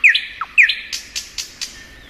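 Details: Brief fragment of spring song from a thrush nightingale: two sharp downslurred whistles followed by four evenly spaced noisy, clicking notes.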